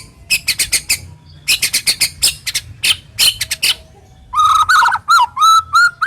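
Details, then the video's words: Murai batu song packed with rough, sharp 'shots' to stimulate another shama to sing: quick runs of harsh chipping notes in bursts, followed by a series of steady, repeated whistles. "Masteran Burung murai Batu Full Tembakan Kasar Dan Tajam"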